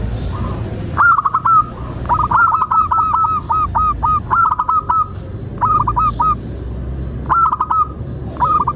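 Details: Zebra dove song used as a decoy to get doves singing: several phrases of rolling, hooked cooing notes repeated rapidly, coming every second or two, over a low rumbling background.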